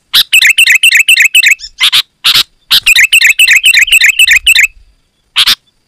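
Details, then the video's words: Sooty-headed bulbul singing loudly and steadily, used to draw in wild bulbuls: two long runs of rapidly repeated bubbly chirping notes, several per second, separated by sharp crackles and brief pauses. "Suara Burung KUTILANG GACOR Suara Asli Rapat dan Lantang"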